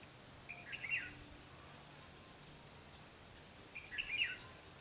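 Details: Decoy red-whiskered bulbul with white cheeks singing competitively to draw wild birds into a trap, recorded 12 August 2016; two brief chattering, warbled phrases about three seconds apart against faint steady background noise.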